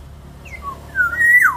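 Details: Lure song of a black-naped oriole for training other birds: a short high note and a lower slur, then a drawn-out fluty whistle rising and bending downward, over a low room hum.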